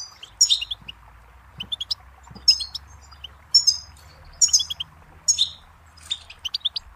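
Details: Goldfinch singing, from a song tape meant to teach chicks and songbirds: clusters of high, liquid twitters and buzzy trills in bursts roughly a second apart, separated by short pauses, over a faint low hum.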